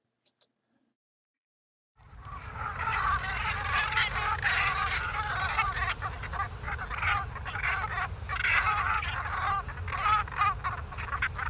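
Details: A large flock of migrating geese, taken over a beach, honks nonstop in a dense, overlapping chorus of nasal contact calls that keep the group together, over a low wind rumble after a brief silent start.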